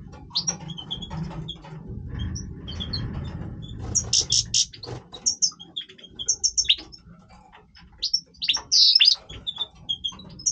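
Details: European goldfinch male singing in breeding voice, bursts of buzzy twitters and sharp high whistles alternating with short pauses, soft low rumble beneath.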